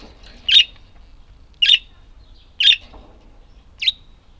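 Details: Budgerigars giving four sharp, bright chirps spaced about a second apart, each short and high-pitched with a quick upward flick, against a quiet background.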